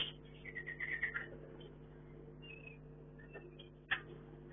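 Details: A captive Chinese hwamei in a hanging cage at a breeding setup gives a few quick, clear whistled notes, then scattered higher phrases and one sharp note near the end, over a steady indoor hum.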